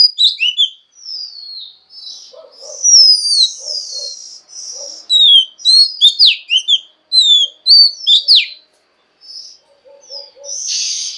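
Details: Oriental magpie-robin, a female said to provoke males into song, delivering separated clear whistles, downslurred and upslurred notes and quick trills, with a soft, low, repeated clucking in the background.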